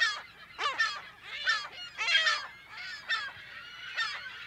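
California gulls give harsh, nasal squealing calls in overlapping bursts about once a second, with several birds of a busy colony calling over one another.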